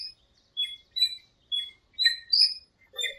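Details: Birds singing in a small park at dawn during breeding season, heard in the rainy season: bright, high chirps and short whistled notes in quick bursts about every half second, with a lower warble at the end.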